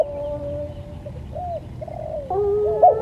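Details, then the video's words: Spotted dove lure recording meant for long-duration training: low mellow cooing notes, a short rising-falling coo then a louder burst, over steady tonal hums and background noise. "PancinganTekukur||Cocok Buat Masteran Duarasi Panjang"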